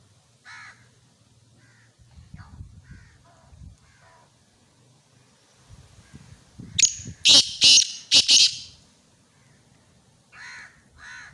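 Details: Black francolin recorded in Khushab, Pakistan: scattered harsh single notes, then a loud burst of four or five rasping, broadband notes in quick succession, followed by two more harsh calls near the end. Faint low murmuring runs beneath.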